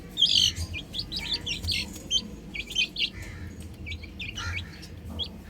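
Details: High, sharp peeping from several baby chickens playing on a roof, loudest at the start, then spaced clusters of short chirps over a quiet low hum.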